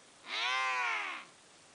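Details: One of four emperor penguins sliding on their bellies across sea ice past Inaccessible Island in October 2012 gives a single drawn-out, richly harmonic call of about a second, rising slightly then falling, with faint hiss.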